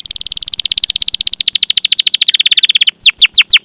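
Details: Canary rolling song ('ngerol') from a training lure recording meant to get young or silent canaries singing: a long, fast, buzzy trill of rapid repeated notes that gradually slows, then breaks into a few loud descending whistled sweeps.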